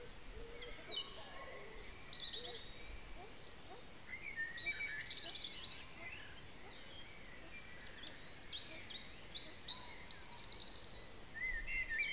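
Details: Great tits feeding at a bird feeder in a tipi in woodland; several birds give short high chirps and twittering calls in scattered bursts, with a steady hiss of background noise.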